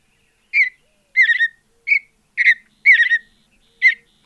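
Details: Recorded in the wild, a Mountain bluebird (Sialia currucoides) gives six short warbling notes over four seconds, some doubled or trilled, falling slightly at the end; silent background.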